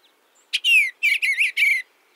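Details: Eastern bluebird giving stuttering, sparrow-like chit notes amid its breathy, musical churring song: a short dry chit, then soft warbled phrases slurring downward, three or four within about a second.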